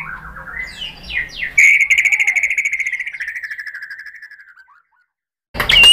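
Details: Lure song of a white-rumped shama (murai batu), used to provoke rival birds: a few rising whistled notes lead into a long, fast, rattling trill that gradually descends and fades, followed by a brief silence and a loud burst.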